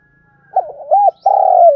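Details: Spotted dove lure call meant to provoke wild birds: short stuttering coos followed by a long, steady, slightly falling coo.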